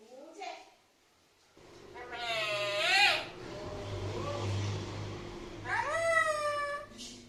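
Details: Mimicking the Malayalam word for mother, a talking parrot gives two clear, wavering harmonic calls while a low engine rumble from a vehicle runs underneath.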